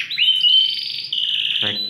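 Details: Brief burst from a Romeo-coloured Yorkshire canary: a rising whistle flowing into a long, even, buzzy trill, closing with a harsh rattle.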